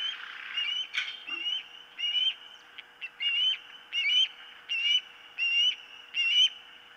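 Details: Osprey at the nest, filmed by a nest camera on 4 September 2023 at about 09:56: a series of short whistled chirps with rising, slurred tops, repeated about every half second over a steady background hiss.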